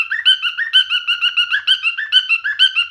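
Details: Singing male cockatiel delivering a rapid series of bright, squeaky whistled notes, evenly spaced and continuous throughout.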